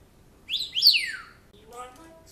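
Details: Pet African grey parrot kept indoors, a bird known to mimic a man's voice: two bright, sweeping whistles that rise then slide steeply down, followed by a softer, lower warbled, voice-like sound.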